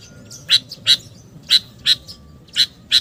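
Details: Sooty-headed bulbul lure sound for drawing in wild birds: six loud, clipped chirps spaced irregularly at roughly two to three per second, each a brief bright burst, with a thin steady tone faintly underneath.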